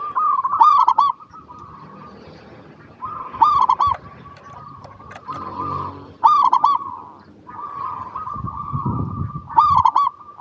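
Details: Local zebra dove singing, used to prompt other zebra doves to answer. Four rhythmic bursts of short, ringing coo notes, spaced about three seconds apart, rise above a constant low rolling trill of cooing and faint rustling.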